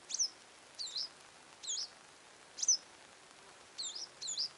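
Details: Western yellow wagtail chirping: six short, sharp, high-pitched chirps, each with a quick twisting up-and-down inflection, given singly or in close pairs about once a second against a quiet, faintly hissy background.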